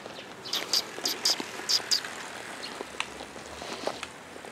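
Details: Several sparrows arriving for food on 4 December 2021: a cluster of bright, high chirps in the first two seconds, then sparse fainter chirps over a steady background hiss.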